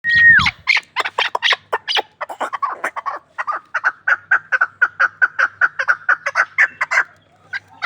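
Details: Hunting chukar partridge from Ishkoshim giving a rapid, uneven run of sharp chuk notes that become steadier and more evenly spaced through the second half. A brief falling whistle opens the sequence.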